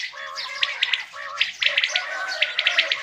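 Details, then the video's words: Quails heard in the morning in hunting season, giving crisp three-note pulsed calls roughly every second, over a low murmur of other chirping birds. "Quails calling for morning hunt seasson | Batair ki awaaz subha k leay | بٹیروں کی آواز صبح کے لیے"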